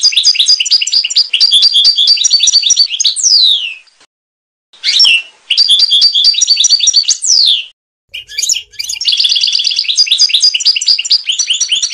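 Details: European goldfinch, Trnan song style, 2020 CD: long runs of fast, liquid twittering, each ending in a descending slurred whistle, broken by short pauses and a scratchy burst.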